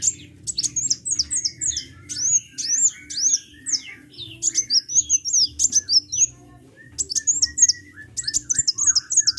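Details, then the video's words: Sunbird in vigorous song: rapid, high, thin chirps and sharp downslurred notes tumble in quick bursts, often several per second, with short pauses between phrases and a faint low hum beneath. "KICAU BURUNG KOLIBRI GACOR"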